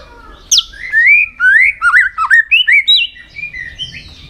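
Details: White-rumped shama kept for song contest training, singing varied whistled phrases: sliding, looping notes around the middle register, with quick rising and falling slurs and a few high sharp accents, delivered in a rapid sequence.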